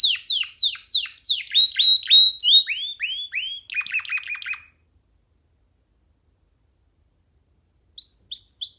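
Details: Free young canary singing on a hand: quick repeated down-slurred whistles building into rolling phrases and a buzzy rattle, then several seconds of silence before a few short whistled notes resume.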